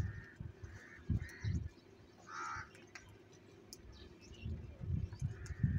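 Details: Several crows fighting over cheese and salty food: short harsh caws, a few widely spaced, with a louder one midway, over constant low rumbling and thumping noise.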